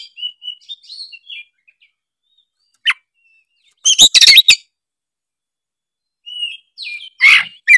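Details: Oriental magpie-robin, or kacer, in sparse gacor singing: soft short whistles, a single sharp downward note, a loud scratchy burst near the middle and a final rasping phrase.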